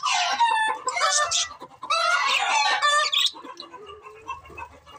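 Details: Pet budgerigars giving loud, rich warbling chatter with rapid buzzy and whistled elements for about three seconds, then softer scattered chirps.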